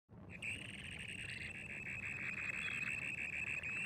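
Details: Dunlin (Calidris alpina) on a windy day in Härjedalen, Sweden, giving a continuous high, buzzy trill holding steady in pitch for several seconds, with a low rumble of wind beneath.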